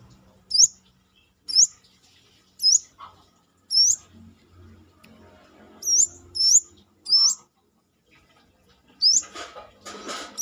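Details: Brown-throated sunbird in full song outside the cage, a bird kept as a tutor for other songbirds. Loud, very high rising chirps come in a steady series, then a burst of rustling at the end.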